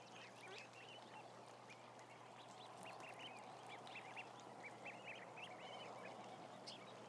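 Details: Roughly a thousand ducklings on a continuous camera feed, lively bursts of high chevron-shaped peeps, several per second, overlapping in a busy chorus, with a faint steady hum below.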